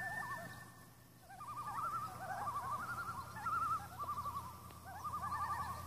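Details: Seven common loons on Intermediate Lake on August 6, several birds giving overlapping quavering, laughing calls in rapid wavering bursts that rise and fall, calling almost continuously with a low steady hum behind.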